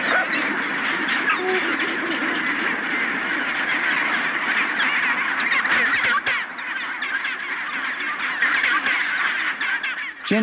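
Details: Large chinstrap penguin colony on Deception Island off the peninsula, one of the biggest there: a dense, continuous chorus of overlapping harsh, braying and honking calls from many birds at once, with no pause throughout.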